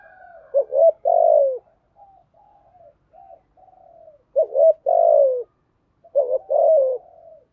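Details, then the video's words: Cooing song of a spotted dove, a proper 'bài bản' phrase in the earthy 'giọng thổ' voice for urging doves to call: stuttering hoots leading into a long falling coo, repeated three times with soft murmured notes between. "chim cu gáy giọng thổ bài bản thúc gù, chim cu gáy đất bài bản gù thúc, chim cu gáy kích bổi"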